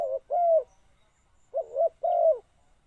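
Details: A decoy spotted dove calling wild birds: two low phrases, each a short coo followed by a longer mellow falling coo, clear against near silence.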